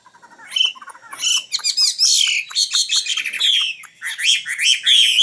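A common nightingale sings a loud, rich, unbroken stream of rapid chattering phrases, bright whistles and quick trills, with no other sounds around it.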